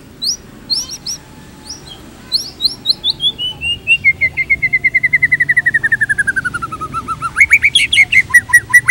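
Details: White-rumped shama tutor song for training shamas: scattered high chips, then a long steady trill of evenly repeated whistled notes slowly falling in pitch, closing with loud varied phrases.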